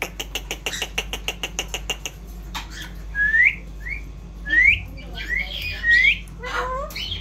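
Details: Indian ringneck parrot, noted for its talking, opening with an evenly spaced string of clicking taps, then several clear upward-sweeping whistles repeated about once per second; low hum throughout.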